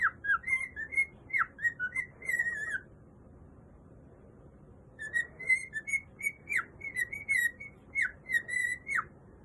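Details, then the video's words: Pet male cockatiel singing indoors: two bursts of clear whistled notes, short rising and falling phrases repeated quickly with bright overtones, separated by a pause of about two seconds; faint room noise underneath. "My cockatiel parrot singing"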